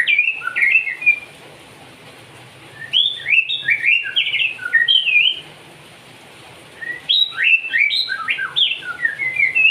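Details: White-rumped shama singing while mimicking the cigun: rapid whistled notes, slurred up and down and rich, in two bursts of about three seconds each, separated by a short quiet gap.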